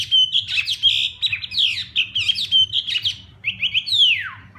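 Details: Hwamei singing during morning voice training, rich whistled phrases and quick slurred notes jumbled together, ending in a long clear whistle sliding steeply downward.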